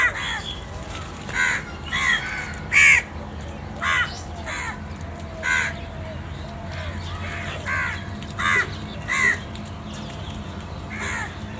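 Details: Black crows eating and feeding together, one calling other crows to food: about ten harsh, hoarse caws in an uneven series, each a short rasping burst, over steady low background hum.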